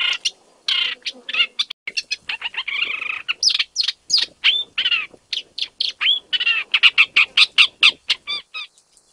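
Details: Isabelline shrike, a wild vagrant in Jiangjun District, Tainan, Taiwan, 25 December 2023, first main-island record: a long, varied run of harsh rasps, dry ticks, buzzy slurs and clear whistles, delivered in quick succession.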